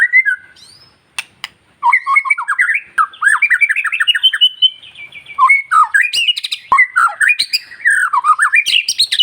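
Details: Long-tailed white-rumped shama song meant to rouse other shamas into singing. Brief whistled notes, a pause, then a fast, continuous torrent of chattering, warbled and trilled notes jumping in pitch.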